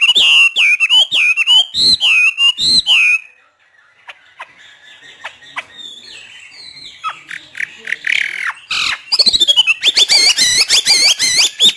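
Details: Caged Hwamei trained by a northern Vietnamese keeper, singing in the free 'hót thả' style: loud, bright whistled phrases with rising and falling slurs, a short pause of scattered soft notes, then a fast run of repeated high notes.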